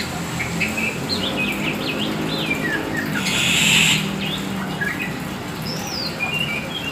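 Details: Black Oriental magpie-robin, kacer hitam, hobby bird singing: a run of looping whistled notes and slurs, briefly covered by a loud hissing rush around the middle, then scattered high whistles and chirps over low hum.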